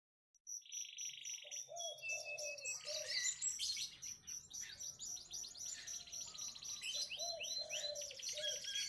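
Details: Lemon-coloured canary song used to prompt birds that have stopped singing: high, fast twittering trills and rapid buzzy rolls, with a mellow lower warbling strand, continuous throughout over a faint background hiss.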